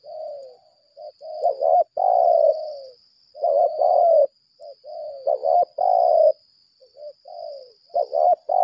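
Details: Spotted dove decoy of the 'lambung kuk' type persistently calling in 'berlaga' style: bursts of loud, husky, wavering coos mixed with soft short notes and falling tails, repeating irregularly, with an unbroken high-pitched whine underneath.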